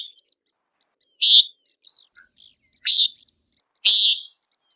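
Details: Common Nighthawk hunting insects on the wing, three loud nasal buzzy peent calls about a second and a half apart among faint soft chirps.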